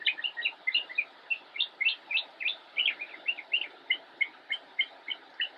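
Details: Young Northern mockingbird, North Carolina, October 2016, singing from a bush in a rapid, fairly even series of short chirps, about three per second, with shifting pitch and shape.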